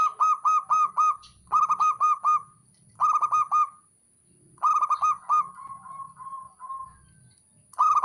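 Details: Male zebra dove (local perkutut) calling, played to get a silent, reluctant bird singing again: bursts of four to five rapid, hollow staccato coos repeated every second or so, one trailing into a longer rolling series, with a steady faint electronic whine.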